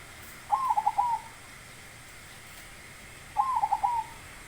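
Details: Zebra dove with a big voice repeating its cooing song twice, about three seconds apart. Each phrase opens with a rising coo and breaks into three or four rapid trilled notes.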